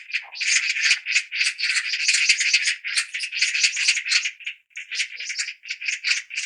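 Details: Magpies keep up a long, almost continuous dry rattle of scratchy chack notes, about four per second, loosening into separate bursts toward the end.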